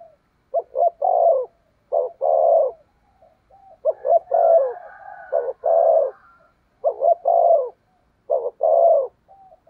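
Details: Decoy spotted dove calling to lure wild birds with 'thúc gù' cooing: stuttered low coos, each short note leading into a longer hollow one, groups spaced about two seconds apart, faint high twittering.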